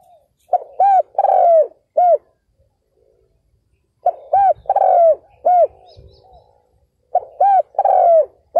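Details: Captive decoy spotted dove luring wild males, repeating the same coo phrase three times about every three seconds: two short hoots, a long falling note and a closing hoot.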